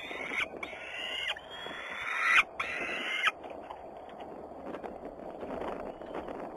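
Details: Peregrine falcons, Włocławec, Poland, Sunday afternoon of 6 June 2010: three scratchy, rasping calls, the middle one loudest, then a noisy background.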